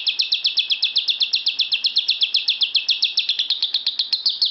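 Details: Caged lovebird in a bedroom, joining in: quick, regular high chirps, about four a second, forming a steady buzzy trill that roughens slightly toward the end.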